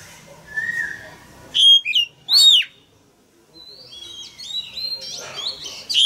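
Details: Male Oriental magpie-robin singing loudly to prompt young birds to start singing: a faint warble, then two bursts of sharp, slurred whistles, a quiet pause and a run of thin high whistled notes.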